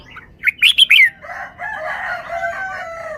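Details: Caged red-whiskered bulbul showing its song phrasing in forest style: a quick burst of four or five bright, loud, warbled notes, then a long, lower, harmonic crowing sound like a rooster's.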